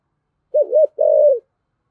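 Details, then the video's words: Single phrase of a spotted dove in the deep 'giọng thổ' voice, used to prompt a newly caught dove to coo: a wavering two-part note then a longer level coo, under one second, clean background. "cu gáy giọng thổ giọng hay thúc gù bổi nghe gáy theo sung mãn"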